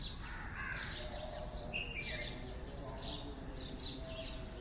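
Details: Birds singing in the morning: a mix of short, high chirps and brief whistled notes from several birds, over a steady low background hum.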